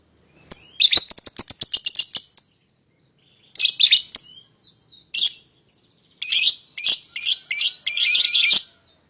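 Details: Pair of young lovebirds calling as a lure to get a rival bird to join in singing: a fast run of sharp, high ticking chirps, then pauses and several bursts of harsh, buzzy chatter.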